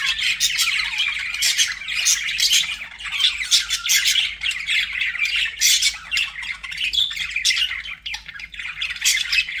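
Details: Pet budgerigars in a flock keep up a dense, scratchy warbling chatter, with harsh squawks and bright chirps overlapping almost without pause across the whole stretch.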